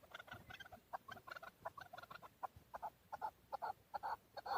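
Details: Excited male chukar, or keklik, recorded in Darvoz, Tajikistan, 2020, giving quick clucking chuk notes about twice a second that grow louder toward the end.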